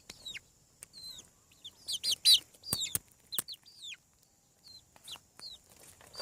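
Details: Chicken chicks hatching from eggs on a farm produce clear high peeps sliding sharply downward, some in quick doubled bursts, with loud clicking taps in between and quiet gaps near the end.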